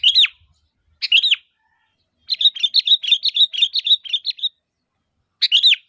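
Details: Sooty-headed bulbul, calling busily as a lure for other bulbuls: two bubbly phrases, a fast chattering string of short notes, then one more phrase after a pause.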